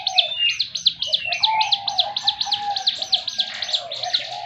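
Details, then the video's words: Ciblek gunung (Javan fulvetta) in a 'tembakan' burst: a quick series of sharp, high chipping notes at about four per second, accompanied by lower, soft whistled phrases. "tembakan burung ciblek gunung yang sangat istimewa sekali"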